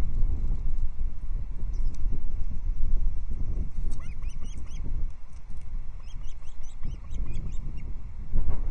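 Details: Ospreys at the Loch Arkaig nest on the morning of 14 July 2022, as moss and fish are brought in; series of short, high, chirped whistles near four seconds and again later, over heavy rumbling wind.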